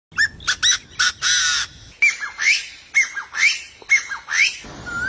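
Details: Bird recorded May 5, 2023, giving harsh squawking notes in short bursts, then a run of sharp rising calls repeated about once a second, ending on a single level whistle.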